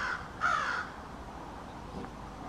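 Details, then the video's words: One of a small family of American crows in a backyard, giving a couple of rough drawn caws at the start, followed by quiet background. "American Crows Calling"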